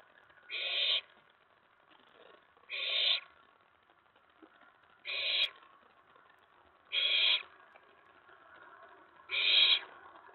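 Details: An owlet calls from its nest box at night on 19 May 2017, excited after a mouse was delivered and another owl arrived at the tray. Five raspy, hissing screeches come about every two seconds over a quiet background.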